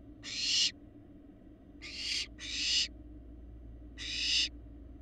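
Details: Large barn owl fledglings at a Florida nest on a live camera, 2022 season: four rasping, hiss-like screeches at uneven gaps, two close together in the middle, each swelling then cutting off, with a constant low background hum.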